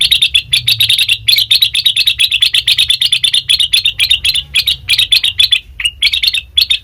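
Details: Sooty-headed bulbul lure sound: a dense, unbroken stream of fast scratchy chips, tightly repeated for nearly seven seconds, with one short downslurred note near the end; intended to prompt other birds to answer.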